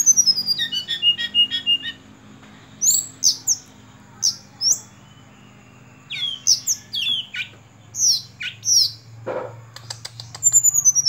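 Sunda robin singing high, thin whistled phrases and sharp descending notes in short bursts with pauses, plus a low hum in the background.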